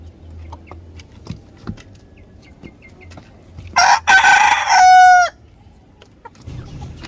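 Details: Rooster crowing in South Korea, one loud harsh rising crow ending in a long drawn-out tone, with faint clucks and ticks before and after.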